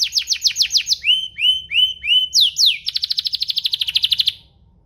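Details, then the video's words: Song of a canary played to make other canaries respond and sing: steep descending notes, a series of upward-curving whistles, then a long rapid trill that fades out. "Pancingan kenari biar gacor"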